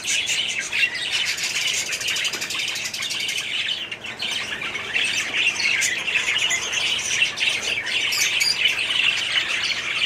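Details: Budgerigar colony in a 2017 update, many birds calling at once: a continuous busy wash of high warbling and chirping, scratchy squawks rising above it, no pauses.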